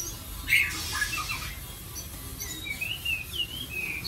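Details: White-rumped shama singing softly: a sharp note and a brief noisy burst, then a flowing, wavering warble of whistled notes rising and falling over a low hum.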